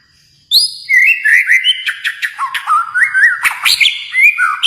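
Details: Kalimantan white-rumped shama pouring out a continuous, varied song of bright whistles, slurs and chattering notes that rise and fall in pitch.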